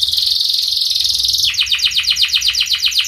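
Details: Canary singing to train other canaries: a steady high buzzing trill for a second and a half, switching abruptly to a regular series of quick descending whistled notes.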